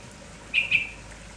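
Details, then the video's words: Red-whiskered bulbul of the kampong type, described as lively in the morning and calling without stopping, gives two quick bright chirps close together, each slightly falling, over a steady soft background hiss. "MERBAH JAMBUL KAMPONG GALAK TAK HENTI BERBUNYI"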